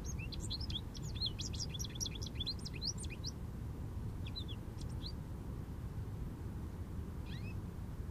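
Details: Jubilant American goldfinch perched in an Eastern Red Cedar, opening with a quick three-second tumble of high twittering, slurred notes, then a few scattered chips and a brief final phrase, over constant low background rumble.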